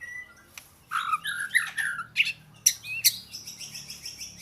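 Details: Oriental magpie-robin in song, delivering quick varied whistled phrases with rising and falling slurs, then a run of rapid high-pitched repeated notes; a low background hum throughout.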